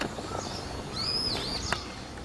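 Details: A Brown-eared Bulbul, recorded on the morning of 7 November 2016, gives one shrill, high whistle that arches up then slides down over about half a second, with steady traffic hum behind it.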